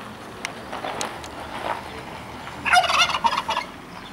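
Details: Male turkey, walking along a village roadside in Khakassia with his hens, lets out a loud, rapid, bubbling gobble that rattles for about a second.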